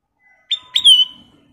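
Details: Sooty-headed bulbul singing actively; two short bright whistled notes, the second a longer clear whistle that slides slightly downward, over a quiet background.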